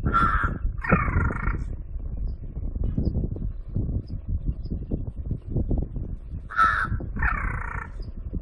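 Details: Crow making a funny noise: two pairs of harsh, raspy caws, one pair at the start and another near the end, over steady low rumbling background noise.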